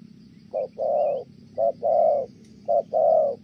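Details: Spotted dove cooing in the 'thổ' style, Kon Tum. A short soft hoot is followed by a longer, slightly arched hoot, repeated three times in steady rhythm about a second apart.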